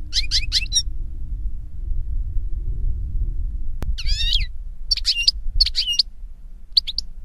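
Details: European goldfinch (Carduelis carduelis) in nature giving a trilled phrase, then after a pause and a sharp click, clear rising-and-falling whistled notes in spaced pairs over soft background rumble.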